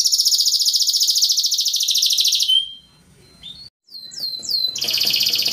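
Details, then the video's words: Yellow canary training song: a fast high trill for two and a half seconds, a short pause with a few thin swoops, then the rapid trill resumes. "Yellow Canary Singing Training Makes Your Canary Fast Singing Beautiful and Rocking"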